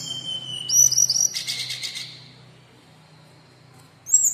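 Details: Brown-chested jungle flycatcher, a local bird in full song, used to challenge rival birds. It gives high, thin whistled notes sliding up and down, then a brief buzzy burst, a pause, and one more bright whistle, over a faint low hum.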